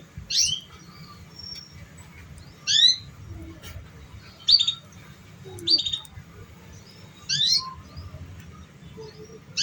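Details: Sounds used to coax young canaries into singing: sharp, high, slurred chirp phrases repeated roughly every one and a half seconds with quiet gaps between them, over a faint low hum.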